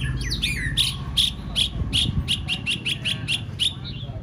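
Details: White-rumped shama in contest training. After a couple of quick slurred whistles it repeats a loud, sharp clicking note more than twice per second, with a low rumbling hum beneath.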